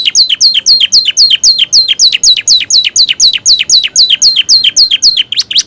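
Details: Romeo canary kept as a cage bird, its song filled with borrowed prinia and ciblek phrases: a fast, even series of bright downslurred whistled notes, about four per second, repeated steadily throughout, with no other sounds.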